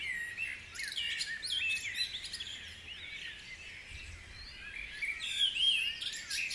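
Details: Dawn birdsong at Guisborough, clean and high: overlapping twitters and short whistled slurs, with a couple of bright looping notes late in the recording and almost no low noise.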